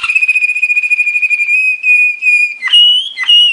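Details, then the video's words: A Belgian Waterslager (Malinois) song canary sings a training song: a long, soft, bubbling, water-like roll on one steady pitch, then breaks into clear, slightly higher whistled notes. "Belgian Malinois Waterslager training song"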